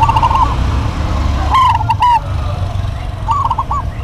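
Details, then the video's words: Zebra doves of a local strain singing in an energetic duet: a rolling coo phrase, a louder clicking burst, then a softer trilled reply, over a steady low rumble. "DUET PERKUTUT LOKAL GACOR PALING RAME PASTI SEMUA NYAUT"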